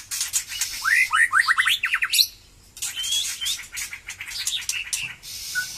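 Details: White-rumped shama, newly singing again after its moult, delivering a fast run of rising whistled notes, then a pause and softer scattered phrases over steady crackling background noise.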